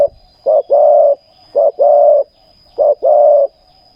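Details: Spotted dove used as a decoy bird for ground trapping, its call fetching captives; three phrases, each a short coo followed by a longer, rough, level coo, repeating about every 1.2 seconds.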